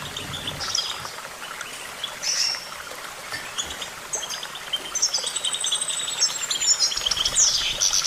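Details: Goldfinch song that starts with scattered chirps, then builds into a long, sweeping liquid trill with high whistled notes toward the end.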